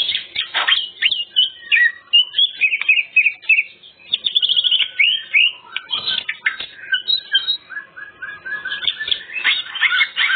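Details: Greater green leafbird in full varied song, used as a lure for other birds: rapid, dense run of whistles, chatters and slurred notes, some mimic-like phrases, with brief pauses.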